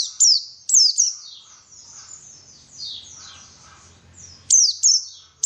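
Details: White-eye, called pleci, singing on a lure track for boosting song: a few sharp high falling chirps at the start and end, with a softer jumbled twittering and low rumble between.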